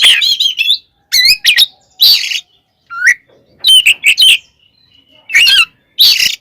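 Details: Provocative fighting song of an Oriental magpie-robin: loud varied phrases of warbled whistles, buzzy rasps and a clear upslurred note, sung in bursts separated by short silences.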